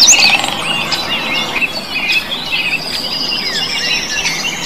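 Blue bird singing a rapid, busy stream of high chirps and twittering notes over a long thin whistle, with faint hiss in the background.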